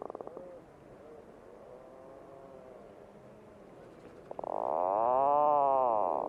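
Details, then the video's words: Puffin: soft, faint grumbling moans for about four seconds, then a loud, stuttering onset opens into a long, swelling nasal groan. "Real Puffin Sounds"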